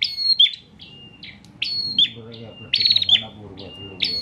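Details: Bar-winged prinia, a kept bird from Pemalang, Central Java, recorded as a tutor for other songbirds: bursts of sharp high chirps and sliding whistled notes, with short pauses between phrases over a faint low hum.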